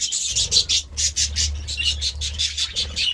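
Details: Budgerigars eating vegetables chatter nonstop, a pulsing run of shrill, scratchy chirps repeated several times a second over a faint low rumble.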